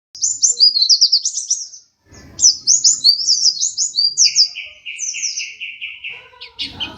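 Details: Pleci dakun white-eye, a second-place contest champion, singing vigorously: quick high twittering phrases of sliding chirps, a pause with a brief rustle, more twittering, then a run of about eight even, lower repeated notes and a final noisy burst.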